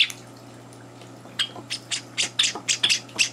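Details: Java sparrow chicks, three days after arriving in a home, at breakfast feeding with two older birds barging in; after a quiet start, harsh raspy chirps burst out about nine times in under two seconds over a steady low electrical hum.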